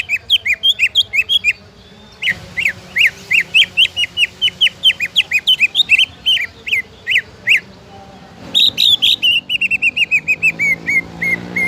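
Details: Greater green leafbird song used to prompt other leafbirds to sing: loud whistled notes, sharply rising and falling, repeated about three times a second in bursts, with a pause and then a quicker descending series of phrases.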